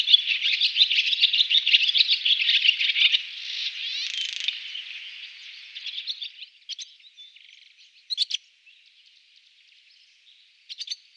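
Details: Male barn swallow song: about three seconds of rapid, dense twittering, then a softer buzzy stretch that fades, followed by a few isolated sharp chirps with quiet gaps between.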